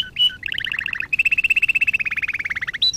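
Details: Canary song used to train canaries: varied chattering trills of rapid paired notes, a steady rolling tour, a slightly falling trill, and a closing high whistle.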